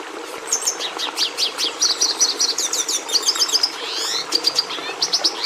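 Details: Red siskin, a breeders' favourite that gave the domestic canary its red pigmentation, delivering a continuous high twittering song of rapid repeated chirps, trills and slurred notes, with a brief sweeping phrase toward the end.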